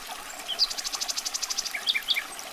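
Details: Common nightingale delivering a rapid pulsing trill of evenly spaced notes. It ends in a few sharp, descending chirps, all over a faint hiss.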